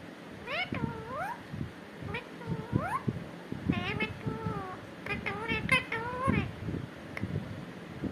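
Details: Talking parrot, said to be saying "katore": repeated bursts of speech-like, nasal syllables that swoop up and down in pitch, grouped into short phrases with brief pauses, over a steady low-pitched room rumble.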